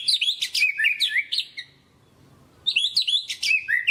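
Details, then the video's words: White-rumped shama in full, continuous lure song meant to rouse reluctant birds: rapid, varied, high whistled and slurred phrases in a dense burst, a pause of about a second, then another equally lively burst. "PANCINGAN MURAI BATU GACOR"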